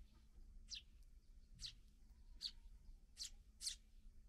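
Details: Fledgling sparrows just out of the nest, being fed by their parents: five short, sharp, high chirps spaced irregularly about a second apart, over faint low background hum.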